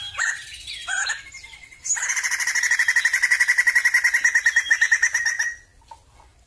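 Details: A Sumatran laughingthrush sings a few sharp chirps, then launches into a sustained, steady, rapidly pulsed rattle lasting nearly four seconds before fading to quiet.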